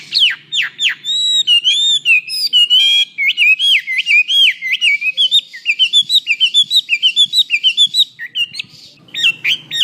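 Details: Hwamei song for training other birds: sharp sweeping whistles opening into a long, fast string of looping rising-falling notes repeated about four per second, then scattered varied phrases with faint low hum.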